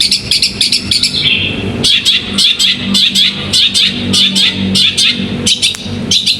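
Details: A competition-bred bird kept in a cage gives clipped high chirps in short bursts and repeated phrases, over a low steady hum in the background.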